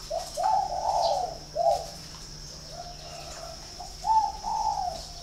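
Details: A spotted dove kept at a bird farm in Ba Vì district, Hanoi, Vietnam, coos in two clear bursts. Each is a run of soft, hollow, slightly rising-then-falling notes, the second phrase opening after a pause of about two seconds.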